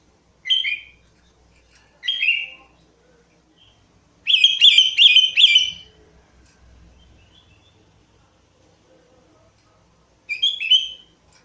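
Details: Energetic Sooty-headed bulbul lure song: two short bubbly falling whistles, then a sustained rapid burst of repeated chirping notes for about one and a half seconds, and a final whistled phrase after a long pause.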